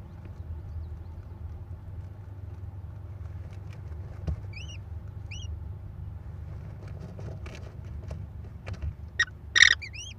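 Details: American kestrel mother feeding her four chicks at a Wisconsin nest, May 13, 2021, via nest camera; a few soft arched chirps midway, then clicking and scraping and one strong harsh screech near the end, over constant low hum.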